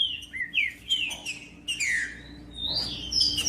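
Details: Green-winged saltator singing for warming up captive birds: a string of bright slurred whistles, each gliding down in pitch, closing with higher rising notes, about a dozen elements in quick succession.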